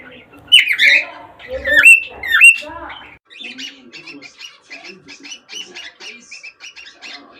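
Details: Cockatiel recording intended to stimulate mating: three loud, harsh rising squawk-whistles open the stretch, followed by quieter, scattered chirps and chatter.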